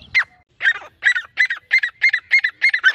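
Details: Grey francolin calling: a fast series of harsh, grating notes of about three per second, growing steadily louder and more regular as the series goes on, with a brief soft rattle at the start.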